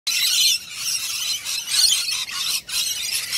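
Lorikeets screech in harsh, high, grating bursts, nearly continuous with brief breaks about every half second to second; nothing else stands out.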